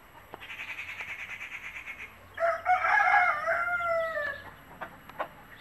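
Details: Native country hen with her chicks, clucking to call them to food and showing them bits to eat; a run of quick, evenly spaced short notes, then a loud, drawn-out harmonic call lasting about two seconds.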